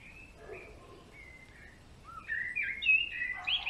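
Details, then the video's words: Garden-visiting male greenfinch: soft, drawn-out notes open the phrase, followed by a louder burst of fast twittering and trills near the end. "Verdone maschio !!"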